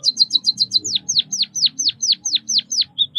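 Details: White-headed munia (Lonchura maja), a small Southeast Asian songbird: a quick run of short high chirps, then a string of sharp descending whistled notes repeated about four per second, ending in a thin high tone.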